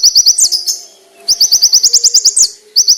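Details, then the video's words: Master song of a konin for teaching other songbirds, rich in fills with sharp, clear, ringing bursts: rapid strings of high, evenly spaced chirps, about a dozen per run, with brief gaps between runs. "MASTERAN BURUNG KONIN ISIAN MEWAH FULL TEMBAKAN TAJAM NYARING JERNIH"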